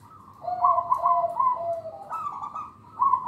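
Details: Song of a local zebra dove, used as a lure for young birds and to train other doves. Continuous rolling, vibrating coos in two tones that run unbroken for about two seconds, then start again.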